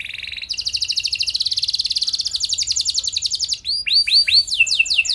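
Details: Singing canary meant to draw responses from other canaries; a short buzzy trill leads into a long fast rolling trill, ending in loud, repeated, hooked downward-sweeping whistles.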